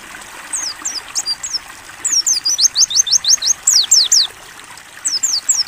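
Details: Mountain white-eye training recording of 'ngalas buka paruh' song: bursts of very high, thin, rapid descending whistled notes, about three a second in fast runs, broken by short pauses, over steady trickling water.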